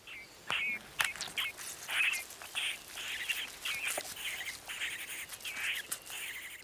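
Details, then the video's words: A great spotted cuckoo chick raised by carrion crows in Spain at the foot of the Pyrenees keeps begging for food even after eating an egg yolk: harsh, high, rasping calls in quick irregular bursts, several per second, over faint hiss. "the little cuckoo has consumed the yolk and still doesn't stop its calling it's annoying"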